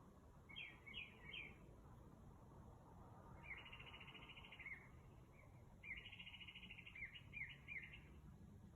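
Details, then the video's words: An unidentified bird singing outside a house at about 2 am at night, giving varied phrases: quick rising chirps, then long buzzy trilled notes and more chirps, over a low steady background hum. "This bird making beautiful sounds outside of my house at 2 am"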